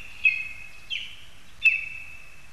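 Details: Recorded 22 August 2021 in Zemgale, Latvia, lesser spotted eagles in a spruce give three piercing, drawn-out high yelps, each trailing into a thin whine, over soft ambient noise.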